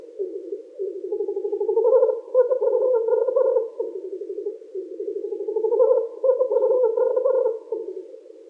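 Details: Several male black grouse lekking at spring dawn in a forest keep up a low, dove-like bubbling in long rolling phrases of about four seconds, blending into one steady murmur.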